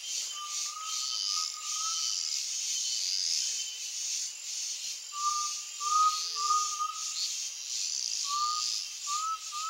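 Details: An Undulated tinamou (jaó) in the Brazilian sertão countryside around sunset gives short, mellow whistled notes in slightly rising runs of three or four, repeated every few seconds over a steady high insect chorus.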